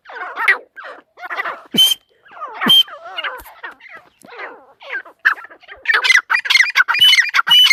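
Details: Female teetar partridge calling irregularly: scattered rough, squawky notes and a couple of sharp ringing cries, building into a quick burst of harsh repeated calls at the end.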